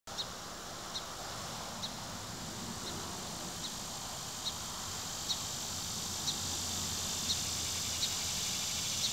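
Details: A song sparrow perched on top of a pine tree gives short, sharp high chip notes, roughly one per second, over a steady hiss of wind or distant insects.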